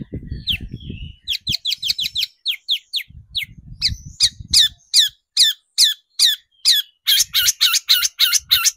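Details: Long-tailed shrike lure recording for rousing shrikes to sing: quick, sharp, downslurred high notes that speed up into a loud, rhythmic series, with low rumbling noise underneath at times.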